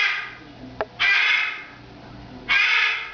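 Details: Captive female cockatoo's routine morning and evening screaming, going on for about five minutes; two loud raspy screeches about one and a half seconds apart, preceded by a brief sharp click.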